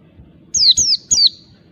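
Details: Oriental white-eye, a wild bird used as a lure, delivers three bright, piercing whistles in fast succession, each dropping sharply in pitch, over near silence.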